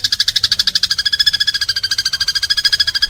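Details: House sparrow fighting, uttering an unbroken, rapid, rhythmic rattle of buzzy, grating notes at an even pace throughout. Recorded as a master sound for pet birds.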